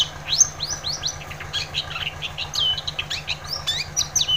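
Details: Long-tailed shrike singing vigorously, meant to get silent shrikes singing: a fast medley of rising and falling whistled sweeps, chirps and buzzy notes, with a faint low hum behind.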